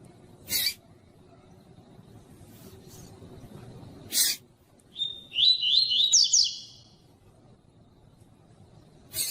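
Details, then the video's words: Pure 'tui tui' style song of a double-collared seedeater, played to warm up a male into singing: one quick, high phrase of repeated sliding whistled notes, set among several loud, sharp knocking noises. "COLEIRO TUI TUI PURO PARA ESQUENTAR COLEIRO FRIO"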